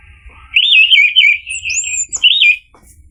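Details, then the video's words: Orange-headed thrush lure song to prompt a bird to answer and sing: a continuous rich warble of quavering whistles with a thin, high slurred note over it, then a final looping whistle. "PANCINGAN ANIS MERAH agar NYAUT jadi BUNYI GACOR ikut NGEPLONG"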